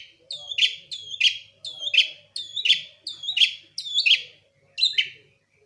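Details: Javan long-tailed shrike, lively 'gacor' singing with 'isian' fill-ins: the same bright, downward-bending phrase, ending in a sharp accent, repeats about every 0.7 seconds.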